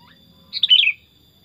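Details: Single brief song phrase from a tame caged sooty-headed bulbul: a fast, gurgling cluster of clear whistles slurring down at the end, with a thin steady electronic tone in the background.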